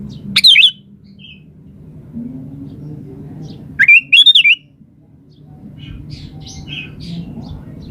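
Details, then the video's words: A lively 'gacor' sooty-headed bulbul, used as a lure to get others answering, gives three brief bubbling phrases spaced a few seconds apart, the middle one a stuttered warble. A constant low hum and faint chirps fill the gaps. "SUARA BURUNG KUTILANG GACOR"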